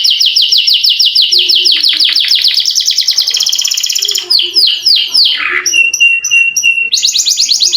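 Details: Rolling canary song meant to prompt quiet canaries to sing, built from fast series of descending sweeps that run into a dense trill, then brief clipped notes and a high steady roll to the end.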